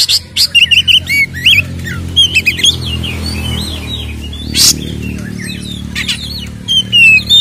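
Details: Fighting-style 'ngeplong tarung' song of a kacer, the Oriental magpie-robin, used to provoke others: bursts of quick mimicked chirps and twisted whistles, a noisy broadband crack midway, then a drawn-out descending whistle.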